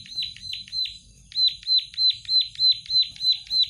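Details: Plain prinia in energetic song: a series of sharp, downslurred high notes repeated about three times a second, a short pause after the first three, then eight more in steady rhythm; low hum underneath.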